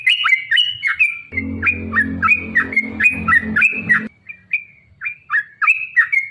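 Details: Yellow-vented bulbul giving a long, rapid 'ropel panjang' lure song meant to provoke other bulbuls into singing: quick bubbly whistled notes, each dipping and rising, tumbling in fast succession, with a low hum underneath midway.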